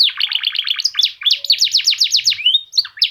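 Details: F1 canary in a unique-styled song meant to prompt other canaries to sing, delivering fast repeated chip-like notes that run into a rapid sequence of sweeping descending high whistles, loud and clear throughout.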